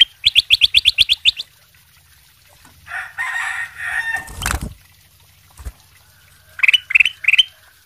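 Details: Kutilang emas sutra singing masteran for other birds to learn: a fast run of about nine bright chirps, then a stretch of hissing noise and a loud burst, then three more rising chirped phrases.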